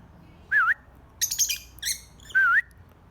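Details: Birds calling: two clear whistled notes that dip and rise again, one at the start and one at the end, with a burst of high, harsh chirps between them over a quiet background.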